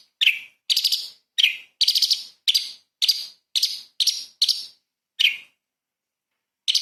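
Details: Light-vented bulbul delivering 'tembakan' burst song meant to tutor magpie-robins. Around ten shrill chirps come in quick succession, then a long pause and one more note.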